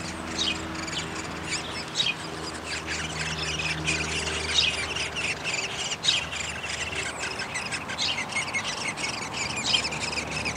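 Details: Downy woodpeckers feeding at the nest, May 20, 2021; sustained high, scratchy chatter made of rapid notes, with a faint low hum in the background during the first half.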